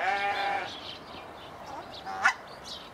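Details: Swan goose, one of a captive pair just moved into an open enclosure, giving a nasal, harmonic-rich honk lasting about half a second, followed by quieter scattered calls and a short sharp note near the end.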